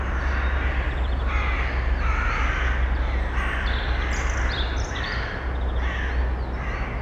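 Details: Eurasian eagle-owl female and nestlings in a nest box, early May, recorded without a directional microphone: a run of hoarse, hissing rasps about every third of a second, over a steady low hum, with faint songbird notes above.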